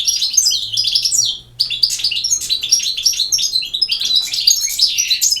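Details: European goldfinch from Bosnia and Herzegovina in 'campero' song: an energetic stream of high, bright twittering notes, broken by one brief pause, then resumed without stopping.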